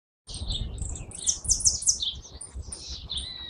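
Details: Hooded siskin, known locally as jilguero argentino, singing a rapid jumble of high twittering notes, buzzy trills and short sweet whistles, with a low rumble of background noise underneath.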